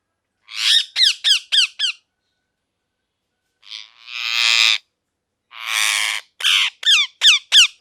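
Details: Parrot calling in harsh, rapid series: two bursts of four to six sharp, downward-sweeping screeches, separated by a pause and a couple of longer raspy squawks, loud and close.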